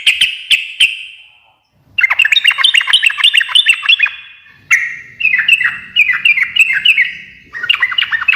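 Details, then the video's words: Yellow-vented bulbul in lively, continuous ngekek-style chatter: a few sharp clicks, then bursts of bubbly, jerky notes rolling up and down, each phrase fading out before the next, with a faint low rumble underneath. "kicau suara trucukan gacor ngekek garuda menjadikan burung nyaut seketika"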